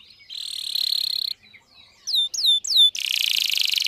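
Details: Canary singing as a training lure for young learner canaries: a steady buzzy tone, a pause, then three loud upslurred-then-falling whistles and a dense buzzing rattle.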